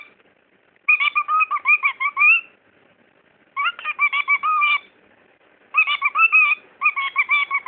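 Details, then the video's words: A pet talking bird gives three quick, nasal, speech-like phrases of rapid syllables, each about a second and a half long with short pauses between, apparently saying "what are you doing?" and then an unclear phrase. "the talking bird"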